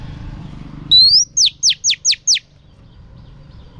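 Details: Female oriental magpie-robin singing to stir up males: a bright rising whistle followed by five quick, sharply falling high notes in a tight even run, then quiet with low background rumble.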